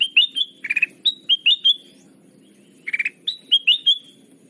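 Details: Sooty-headed bulbul lure call for trapping: bright downslurred whistles alternating with short four-note rattles, in two phrases with a quiet gap between, over a faint low rumble.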